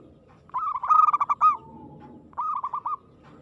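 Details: Local zebra dove singing an aggressive perkutut song, a loud rolling run of fast coos ending on a drawn note, followed by a shorter, softer phrase.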